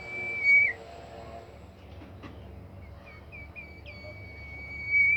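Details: Bimoli bird song played to make other bimoli birds join in: a loud short whistle dropping in pitch, quiet gap, a few short rising notes, then a long steady pure whistle, over faint background hum.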